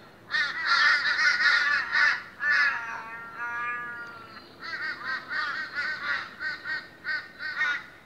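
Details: Morning meeting of many noisy Australian ravens: rapid strings of harsh, nasal caws, a long wavering drawn-out wail in the middle, then steady repeated calls about twice a second.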